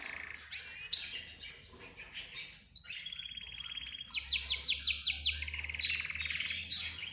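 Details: A mix of budgerigars, zebra finches, the 'roz' bird and a canary heard as if talking; scattered chirps, then a sustained buzzy trill and a run of clear repeated descending whistled notes.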